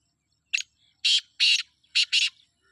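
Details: Grating five-part call of a black francolin from Sindh: a sharp short note, two long rasping bursts, then two quick scratchy notes, with a faint soft sound between them.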